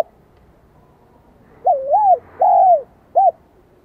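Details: Spotted dove in Vietnam singing the high 'giọng son' voice. After quiet, a single phrase sounds: a wavering coo, a long arched coo and a short clipped final note.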